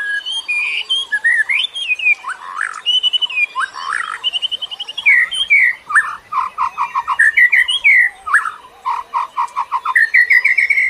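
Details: White-rumped shama song, a forest recording used to coax and train caged birds still learning to sing: rich, varied whistles, rising and falling slurs, and rapid repeated note series flowing continuously for the whole stretch.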